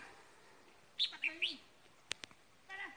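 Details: Red-whiskered bulbul used as a decoy bird gives a quick three-note whistled phrase, clear and slightly rising, followed by a pair of sharp clicks and a soft later note.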